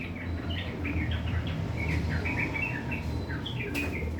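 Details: Morning song of a sooty-headed bulbul, probably a kept bird, delivering its rough, coarse chatter: a quick run of short, clipped, bouncing notes, then a brief pause and another burst, with constant low-pitched background hum.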